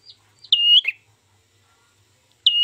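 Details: Ashy tailorbird lure for bird trapping, with one loud sustained whistle ending in a downward flick, then quiet, then a second whistle starting at the end.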